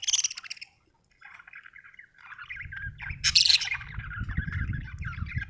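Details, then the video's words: Budgie sound opening with a brief sharp chirp, then, after a pause, a long rambling warble of buzzy, mid-pitched chatter with a sudden high squeak near the middle, over a rumbling low noise. "budgie chirping sound"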